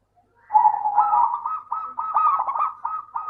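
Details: A local zebra dove sings to lure silent doves: after a short silence, a continuous rippling cooing song of rapid trills and rolling notes runs to the end.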